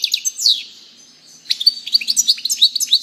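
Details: Continuous sprightly song of a European goldfinch: fast, high tinkling twitters and chirps tumbling together, with a brief downward-sliding phrase early on.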